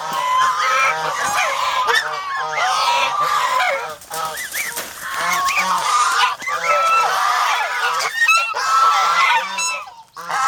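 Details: Domestic geese in the Philippines, a defensive flock of farm geese, keep up a loud, continuous honking chorus of overlapping bugled and rasping calls for over ten seconds.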